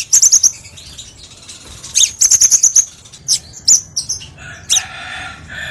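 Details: Crimson sunbird, recorded as a lure and tutor for training other birds, gives rapid bursts of very high chattering chips and dry trills. Brief pauses break the bursts, and a thinner buzzy phrase closes the passage.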